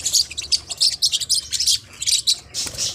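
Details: Short, sharp, high chirps from Forpus parrotlets, spaced unevenly in a lively string of separate notes.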